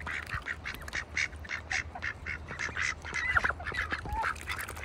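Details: Farm ducks in a bucket in wintertime, quacking in a steady series of short nasal calls nearly twice a second, with a few squeaky, higher notes mixed in late, over a low hum.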